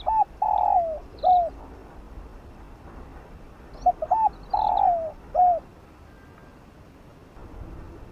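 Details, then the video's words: Two quick phrases from a spotted dove in fast field-style voice, aimed at exciting decoy birds: each has short introductory coos, a long falling coo and a curved ending note, with a pause of about three seconds between them. "Chim cu gáy kích bổi gáy nhanh❣ tiếng chim cu đất gáy gọi giọng đồng kích bổi tập mồi hiệu quả"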